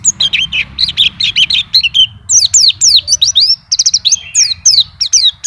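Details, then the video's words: Champion-class white-eye singing continuously, showing off its song repertoire: rapid bright twittering of high whistled notes and quick sweeping chirps, packed tightly with brief pauses, over a low steady background hum. "PLECI NGACOR ‼️BONGKAR ISIAN"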